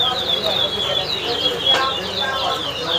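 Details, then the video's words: Towa towa (seed finch) singing at a bird whistling competition in Guyana: high, clear whistled phrases with quick slurred notes, repeated over and over, with faint voices of the crowd behind. "TOWA TOWA BIRD WHISTLING COMPETITION"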